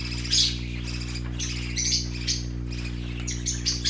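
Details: Colorful baby parakeets at play give scratchy, high chirps and squawks in irregular bursts, some overlapping, over a steady low electrical hum.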